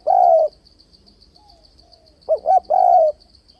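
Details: Spotted dove call used to excite a decoy and lure doves into traps, in a continuous switching-voice style: a long coo, a pause, then two quick rising notes and another drawn-out coo, with a constant high pulsing buzz behind.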